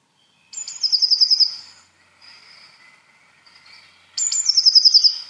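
A Eurasian Blue Tit gives two bursts, each a thin, very high opening note and then a fast, shimmering trill. Quieter high notes are heard between the bursts.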